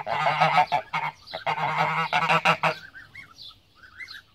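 Pomeranian goose giving loud, harsh honks in quick ragged bursts, about three a second, then fading into softer, higher calls from other fowl.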